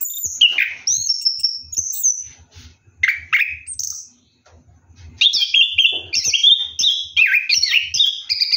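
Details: Orange-headed thrush, ngeroll style, singing while bathing at night: high slurred whistles and descending notes, a pause of about a second, then a fast run of rich warbled phrases.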